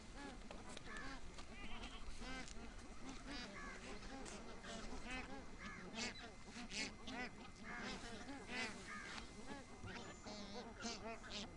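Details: A wintering flock of bar-headed geese feeding at Tehla Jheel lake in Sariska National Park, Rajasthan, keeps up a steady chorus of overlapping nasal honks and yelping notes over a low background rumble.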